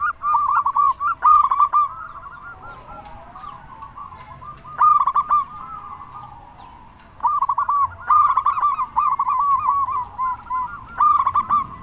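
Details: Long run of zebra dove song from a local bird, used to stir silent or stressed doves: fast clicking bursts lead into soft bubbling coos, a calmer stretch, then renewed loud phrases.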